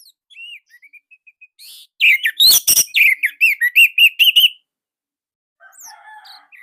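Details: Orange-headed thrush from Indonesia, song used as a master recording for training captive birds: soft thin whistles build into a loud burst of rapid ringing, rising-and-falling notes, followed by quiet scratchy calls.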